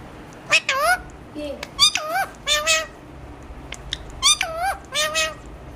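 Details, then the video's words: Talking Alexandrine parakeet with a series of strong, wavering nasal syllables in pairs and short clusters, plus soft clicks between them, against a quiet backdrop. "চন্দনা টিয়া পাখির কথা শোনো"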